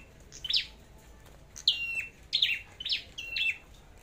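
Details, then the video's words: Flowerpecker in a singing competition: a string of short, high, sharp chips, several sliding downward, given in quick bursts about half a second apart, over faint background hiss. "Chim Sâu Đầu Đỏ Hót Đấu"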